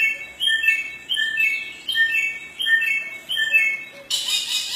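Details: Samyong in the forest singing rhythmic phrases of bright, slurred whistles that drop in pitch, repeated about every 0.7 seconds and ending with a harsh hissy burst.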